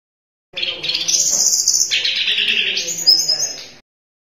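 A Sunda robin sings a continuous, high, sweet warble of rapid twittering notes lasting about three seconds, with no other sounds.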